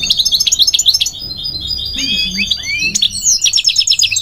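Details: Migratory goldfinch song of quick bright twitters, a few slurred whistles in the middle, then another burst of rapid chirping notes.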